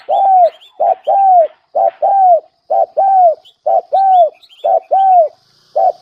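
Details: Lure-calling spotted dove: a steady series of paired coos, a short note then a longer arched one, about once a second and very regular, with faint higher bird chirps behind.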